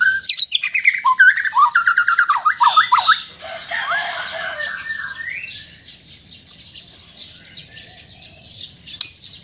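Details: Sabah white-rumped shama singing relaxed and loud phrases: a fast burst of varied whistles and sharp high notes for about three seconds, then quieter rising whistles over background hiss.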